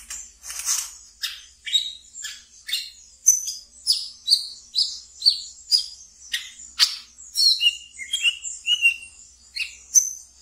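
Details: Brown-throated sunbird kept in a cage, singing ngeriwik as a training lure: a long dense run of high staccato chirps and short whistles, about two per second, some notes dropping lower near the end.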